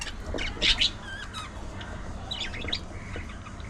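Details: Budgie chattering with loud harsh squawks early on, then a thin rising whistle and a run of quick warbled chirps against low background hum.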